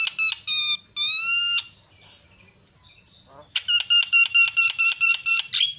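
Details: Myna calls meant to provoke a quiet bird: two long grating notes, a pause with faint rustling, then a steady series of loud rasping notes, several per second.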